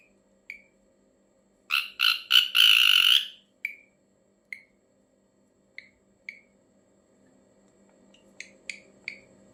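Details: Ashy drongo calling strangely: a burst of four harsh rasping notes, the last long and buzzy, then widely spaced single sharp chirps and a closing trio of chirps over faint hum.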